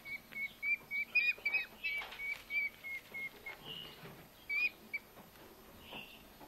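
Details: Eurasian hobby nestlings, two starving rescued chicks taken to a wild bird rescue centre in Hungary, being fed: rapid series of high, thin whistled notes, several per second, then scattered chirps amid handling noise.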